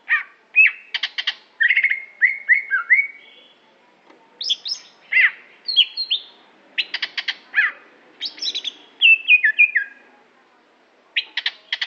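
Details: Greater green leafbird of Aceh origin with a long, varied song: clipped chirps, a run of repeated downslurred whistles, high squeaky notes and rattling trills, nearly continuous with brief pauses.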